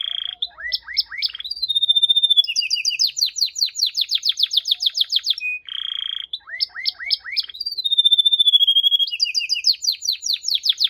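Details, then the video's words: Canary singing in varied phrases: a long pure whistle, rising upswept notes, then rapid buzzy trills of repeated syllables, the sequence repeating after a short pause. "The most Unique and Beautiful Canary Singing"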